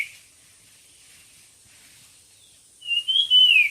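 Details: Competition singing bird: after a quiet stretch, one loud whistled phrase of rising and falling slurred notes ends the recording.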